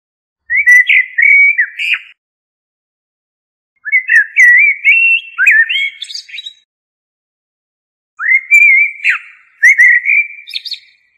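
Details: Common blackbird singing three separate phrases a few seconds apart, each a low, mellow fluted warble that ends in a brief high, scratchy twitter, with silence between phrases.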